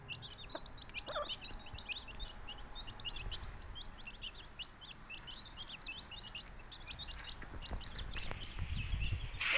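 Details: Flock of baby country chicks in Tamil Nadu peeping in a quick continuous chorus of thin high chirps, about two per second each, ending with a loud rustling burst.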